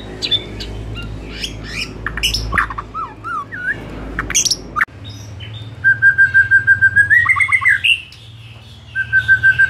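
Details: Afternoon song of a white-rumped shama, played as a lure to stir other shamas into fuller, louder song: varied chirps and whistles, then long level whistles broken by quick trills, with a low hum behind.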